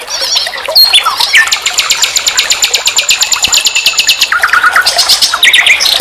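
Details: Singing common nightingale, known as sikatan londo, recorded as a master track for teaching songbirds. Warbled notes lead into a long rapid buzzing trill, then short repeated whistles and high chips.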